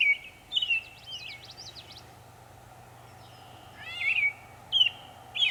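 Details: Northern mockingbird, Savannah, New York, 23 May 2021, making many sounds; a few short chirps and a trilled phrase, then a long pause before more whistled chirps near the end, with a steady low hum beneath.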